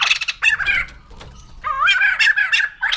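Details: White-crested laughingthrush uttering harsh, squawky, wavering notes in two bursts separated by a quiet pause of about half a second, the second burst rougher and more drawn out.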